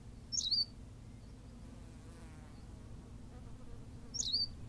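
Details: A Berthelot's pipit from La Gomera, Canary Islands, calls twice roughly four seconds apart: thin, high squeaky notes sliding into a brief whistle. A faint buzzing sound passes between the calls, over quiet low background noise.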